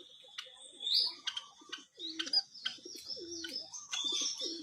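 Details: Singing white-headed munia giving a high sustained whistle that bends upward, then irregular sharp chirps mixed with soft low gurgling notes, fairly continuous throughout.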